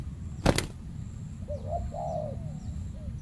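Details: Spotted dove in a banana plantation, a fierce resident bird confronting a decoy during trapping; one sharp click, then a soft rolling phrase of three or four low coos, the middle note longest and wavering.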